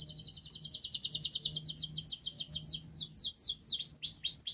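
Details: Canary song used as a training recording to coax silent or reluctant canaries into singing: very rapid, high, buzzy trills of evenly repeated notes, shifting into faster-spaced descending sweeping whistles, loud and unbroken.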